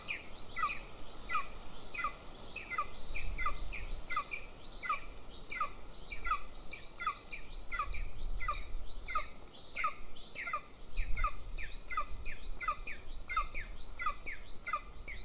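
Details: Younger golden eagle chick begging at the nest in Northern Estonia as the female feeds the elder chick; rapid, continuous series of thin descending whistles, several per second, with low rumbling noise at times.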